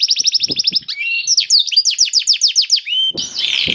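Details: Lively 'gacor' canary song with special 'cengkok' phrasing, a prompt for other canaries to sing: a rapid trill followed by a series of sliding downslurred whistles and a harsh rasping ending.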